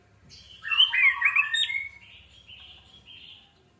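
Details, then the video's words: Orange-headed thrush singing, played as a lure to make birds start singing quickly: a loud burst of tumbling, twisting warbled notes, then softer drawn-out whistles fading away. "PANCINGAN ANIS MERAH MEMICU CEPAT BUNYI DAN GACOR!"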